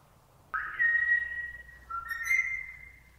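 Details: Female ring-necked parakeet whistling: a clear, level tone held for over a second, then a short dip and a slightly higher steady whistle, with faint clicks in the background.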